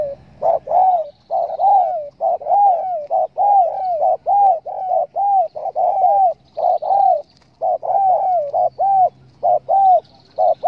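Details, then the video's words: Spotted dove cooing, used as a lure call to draw in doves for hunting. Rapid runs of mellow, dipping coos repeat almost without pause, each note arched and falling, with short gaps. The background is quiet. "pancingan suara burung TEKUKUR"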